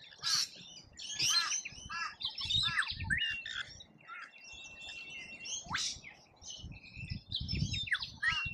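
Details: Rainbow lorikeets visiting a feeder in Australia give a busy stream of harsh, high screeches and chatter, with overlapping calls and a few piercing rising notes, plus low knocking sounds.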